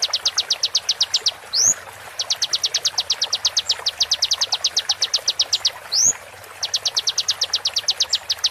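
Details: Konin song used as a tutor recording for training songbirds, with sharp 'tembakan' shots: fast runs of high, clipped notes, about ten a second, broken by a single rising swooping note, then the run resumes.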